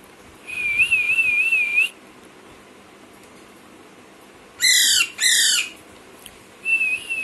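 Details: Baby Alexandrine parakeet, kept as a pet, gives a wavering whistled note near the start, then two loud harsh squawks, then a short whistle again, with a person talking nearby.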